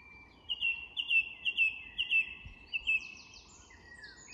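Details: At dusk in English woodland, a song thrush repeats a short sliding whistle about six times in quick rhythm, then switches to a different high fluty phrase. Distant birds of the evening chorus accompany it.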